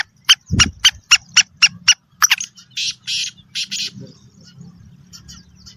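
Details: Female black francolin calling to excite males: eight quick, sharp clicking notes, then rougher buzzy notes fading into low background noise and a brief thump.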